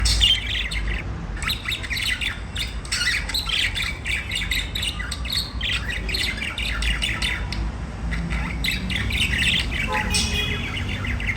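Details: Budgerigars singing and chirping: dense, continuous warbling chatter of scratchy chirps and squeaky notes in overlapping bursts, with a steady low rumble underneath throughout.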